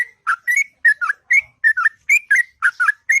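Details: Sooty-headed bulbul in the morning pouring out long, melodious ngropel song, clear whistled notes grouped in pairs, each pair sliding down then up, repeated roughly every half second.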